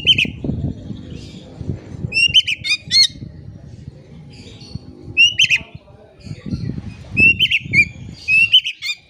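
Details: Lure song of an Oriental magpie-robin, meant to prompt silent birds to sing: clusters of sharp whistled chirps and slurred notes every second or two, with rumbling low background noise beneath.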